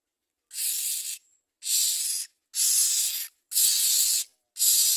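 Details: Common myna at the nest as adults bring food to their young: harsh, broad hissing bursts, each about half a second to a second long, repeated roughly once a second, five bursts in all, with silence between.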